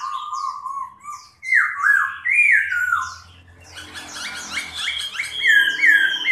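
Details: Chinese hwamei in a cage singing and flapping its wings: low warbled phrases rise into loud looping whistles, then a dense run of rapid, mixed high notes and repeated clear whistles.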